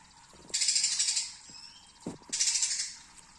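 A young Greater Green Leafbird gives two harsh, buzzy, rattling bursts, each under a second and about a second apart, with a few dull knocks between them.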